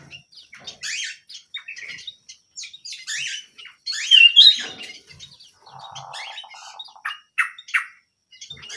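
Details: Small canary singing busily: dense chatter of high chirps and sweeps, a loud whistled slide midway, then a low buzzy rolling trill and more rapid notes.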